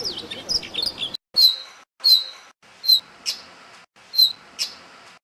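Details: Brown rock chat (Oenanthe fusca), call: sharp, high chirps repeated about every two-thirds of a second after a brief burst of busier twittering; a species of old buildings, rocky areas and villages in northern and central India, recorded in Rajasthan.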